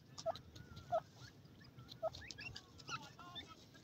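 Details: Playing young francolins give soft low clucks spaced about a second apart, mixed with short higher chirps and brief twittering notes over a steady low background rumble.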